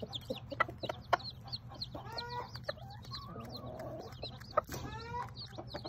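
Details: Bantam Sebright mother hen and her ten newly hatched chicks: several rich, ringing hen calls with stacked overtones stand out over rapid high chick peeps, along with sharp clicks and a constant low hum.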